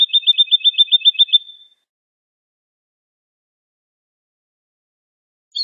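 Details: Woodlark (Lullula arborea) delivering a short, even trill of quick, identical high notes lasting under two seconds, fading at its end, followed by silence and a brief note at the very end.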